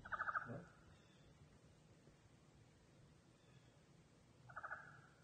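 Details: Common raven named Odin, fed after a winter storm with a foot of snow, gives two short, rattling, gurgled begging calls about four seconds apart, "singing" for food, over a low steady hum.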